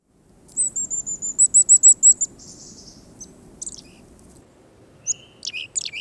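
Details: Black-capped chickadee (Poecile atricapillus), high-z alarm call: warning of a predator.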